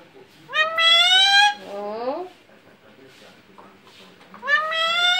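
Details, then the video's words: Alexandrine parakeet kept as a pet, talking and saying mummy: a loud, nasal, slightly rising drawn-out cry, a bent falling syllable, then the loud cry again after a quiet gap. "Talking Alexandrine parrot saying mummy"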